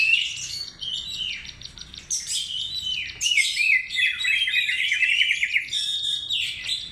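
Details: Oriental magpie-robin song played as a lure: clear, loud whistled phrases sliding down, then dense chattering trills and scratchy notes, high-pitched and continuous, with brief pauses between bursts.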